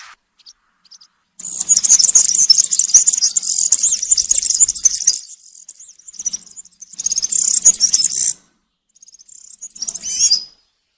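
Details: Woodland European serin in country-style campero song, intended for young birds to imitate during moult: scattered high notes, then a four-second burst of frantic, metallic jingling, a softer passage, another loud burst and a quieter closing phrase.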